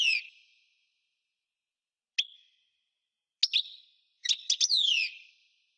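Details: Song of the European goldfinch: single high, clipped notes spaced apart, then a quick cluster of chirps leading into a bright falling slur. The singer is clear and close, and the setting is quiet.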